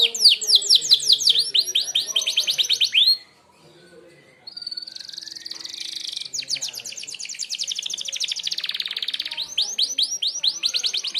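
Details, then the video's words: Merlok canary singing its sharp training song: rapid arched chirps, a short pause, a thin rising buzz, a long dense rattling trill, then more bright swooping notes. "tembakan tajam kenari merlok"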